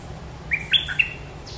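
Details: Red-whiskered bulbul, 'sai chiao' style song: a single quick phrase of three clear, slurred whistles climbing then dipping, against faint low background hum.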